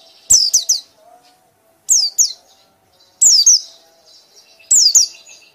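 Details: White-eye singing loudly in the ngekek style: short bursts of two or three high, sharply falling whistled notes, repeated about every one and a half seconds with brief pauses between.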